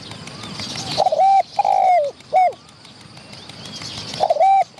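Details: Wild spotted dove near a decoy-trapping setup, come to chase and fight the birds by the filming spot, giving mellow, hollow coos in quick runs of three or four notes, the last drawn out and falling; faint distant birds and insects.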